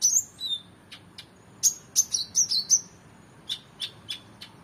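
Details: Energetic song of an oriental magpie-robin, a tutor recording for competition birds: a slurred whistle, a few sharp ticks, then a fast string of warbled notes followed by spaced clicks.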